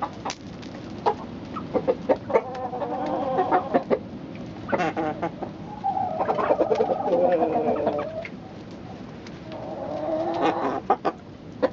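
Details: Domestic chicken sounds: scattered clucks with several longer, wavering drawn-out calls, the loudest in the middle, over a background of a clucking flock.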